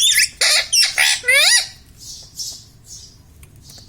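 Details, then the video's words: Talking pet parrot kept indoors, known for saying "mummy papa" and "radhe radhe"; a run of loud, harsh squawks and wavy, whistled speech-like notes in quick succession, then quieter breathy sounds. "Talking mummy papa|| mummy vala parrot || mithu bolo radhe radhe"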